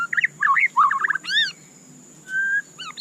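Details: White-rumped shama (murai batu) cage bird singing short warbled phrases, a loud arched call repeated, and a long level whistle, over faint steady hiss.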